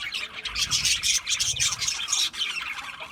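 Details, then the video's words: Budgerigars in a group give rapid, overlapping high chirps and buzzy warbles, a steady bright chatter with a short dip in loudness past the two-second mark. "Cute Budgies chirping Sounds | Budgies relaxing Sounds | Budgies parrots Sounds"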